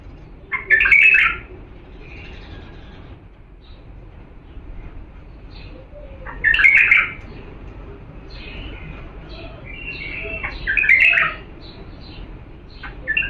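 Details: Authentic Diyala bulbul singing for chicks to copy: three rich, slurred warbled phrases spaced about five seconds apart, with soft scattered twitters between.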